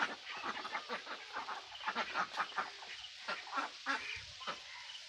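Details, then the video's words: Mixed mandarin ducks, mallards and Pekin ducks, several quacking at once; rapid, overlapping raspy quacks come in irregular clusters over a soft background hiss. "Ducks Quacking"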